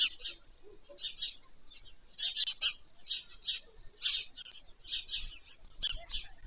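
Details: White Stork chicks at the nest being fed in the evening, Pyriatynskyi National Nature Park, Ukraine, 21 July 2024, from a nest webcam; rapid high squeaky chattering bursts, repeated in clusters with short gaps.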